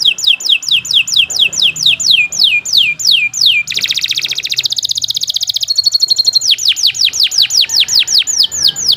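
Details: A canary sings as a tutor for beginner songbirds: repeated falling whistled sweeps, roughly two per second, then a dense buzzy roll, then a thin steady whistle before the descending sweeps resume.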